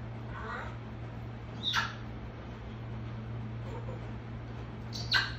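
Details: African grey parrot, a talkative pet bird, giving two sharp squawks about three seconds apart over a steady low mains hum and background hiss, with faint softer sounds between.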